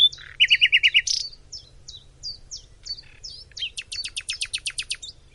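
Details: Nightingale song from Macedonia opening with a fast repeated piping series, then scattered clipped notes and a closing rapid rattling trill of sharp, high strokes.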